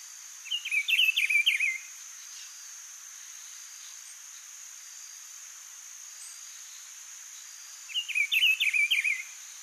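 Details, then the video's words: A free, wild rufous-browed peppershrike (Cyclarhis gujanensis) sings in nature: a rich, warbled phrase of about a second, repeated roughly seven seconds later, over a steady high insect drone. "CANTO do PITIGUARI livre na natureza (CYCLARHIS GUJANENSIS), RUFOUS-BROWED PEPPERSHRIKE"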